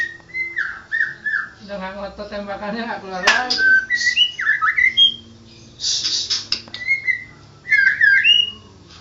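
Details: Champion white-rumped shama: clear whistled notes, then a harsh churring rattle building into loud varied whistles and scratchy bursts, ending with bright repeated phrases.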